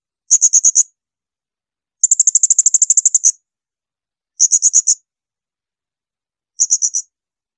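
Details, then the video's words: Blue-crowned hanging parrot in full shrill 'tembakan melengking' mode, a training recording for songbirds: four fast rattling strings of high, sharp notes, the second one long, with about fifteen notes. "Masteran tembakan melengking serindit."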